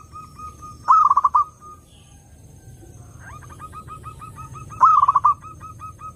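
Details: Zebra dove song used to lure other doves: loud quavering trilled coos at about a one-second burst, a stretch of fainter rapid repeated coos from another dove, then a second loud burst.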